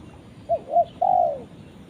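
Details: Spotted dove calling to its companion: two short, soft hooted coos followed by a longer, drawn-out coo that slides downward, all low and mellow, over faint background hiss.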